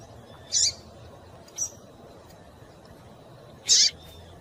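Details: A female Double-collared seedeater gives calls meant to excite a male. Three brief, sharp high-pitched chips, the middle one faint, are spread over a few seconds against a low steady hiss.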